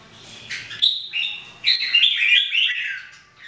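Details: Three red-whiskered bulbuls in training, singing as they do daily: a bright, bubbling run of slurred whistled notes, rising and falling in quick, mid-high phrases, with a faint low hum beneath.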